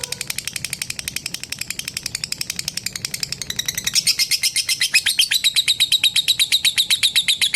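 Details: Lovebird calling a rival with a long ngekek trill: a rapid, sustained chatter of sharp high notes that grows louder and steadier halfway through, settling into an even, fast-pulsed rattle.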